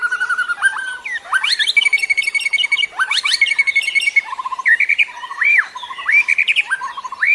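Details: Wild forest white-rumped shama, a lure and training song for young birds still learning: rich whistled phrases, upslurred notes and steady repeated high pips, with other bird sounds faintly behind.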